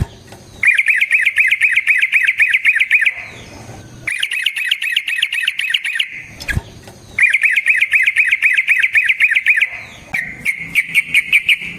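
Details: Yellow-vented bulbul in full 'gacor ropel' song, used as a lure to make other bulbuls sing: three long runs of rapid, even, chattering notes, each lasting two to three seconds, with short pauses between them.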